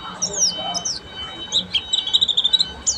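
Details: Buxtomi Oriental white-eye in ngeriwik song, a few high slurred whistles opening into a rapid chattering run of short chirps, with a steady faint tone and soft background murmur.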